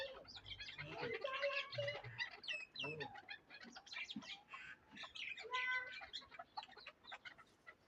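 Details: Leg-tethered Darvoz chukar partridge used for hunting, Tojikobod district, Tajikistan; chattering clucks about three per second, mixed with squeaky slurred notes and a few lower grating calls.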